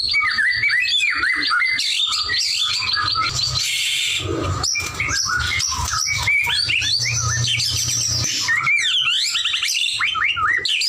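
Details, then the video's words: White-rumped shama in full, vigorous song (gacor): a dense, nonstop jumble of chattering, harsh notes and quick whistles, with scratchy bursts mixed among clear high phrases; constant low hum in the background. "murai batu gacor"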